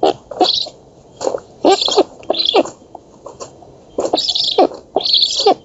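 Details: Black stork nestlings at feeding time in an oak nest in Poland, 11 August 2017, caught by a nest camera: harsh, wheezy hissing bursts in short spaced groups, with lower rasping clicks between.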